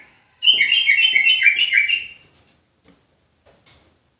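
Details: Sooty-headed bulbul singing in the fast, persistent ropelan style, described as agitated: a dense two-second burst of rapid, overlapping chattering notes that ends abruptly, followed by a few faint clicks in an indoor-sounding space.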